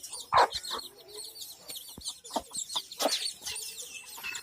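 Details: Mother hen with chicks; short, low clucks sound at irregular intervals, with a loud one near the start, over faint high peeping from the chicks and occasional tapping.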